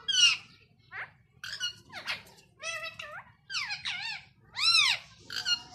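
A rose-ringed parakeet chatters in a run of shrill, squeaky, word-like phrases with rising and falling inflections, about six bursts in quick succession, in a quiet room.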